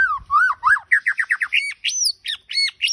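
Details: White-rumped shama from Majalengka pouring out rich, fluty song: a rapid series of rising and falling slurred whistles, then higher clear notes that climb steeply and repeat.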